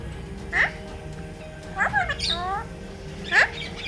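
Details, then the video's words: Talking pet parrot, said to say 'Mummy Mithu ko Roti Do', voicing short nasal speech-like syllables in three separate bursts over steady background music. "Best Talking parrot❤️ | बातुनी शैतान तोता 😜|Mummy Mithu ko Roti Do 😂"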